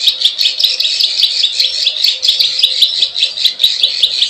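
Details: Klik klik ciwah call of a plain prinia (prenjak sawah), used to attract wild birds: rapid, scratchy high notes pulsing about two to three times a second, accompanied by steady sharp clicking.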